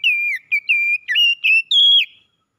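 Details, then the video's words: Oriental magpie-robin singing in the morning: a string of clear, loud whistled notes, some held and level and some slurred, rising to a higher final phrase, with short gaps between notes and no other sounds. "KICAUAN KACER INDAH DI PAGI HARI"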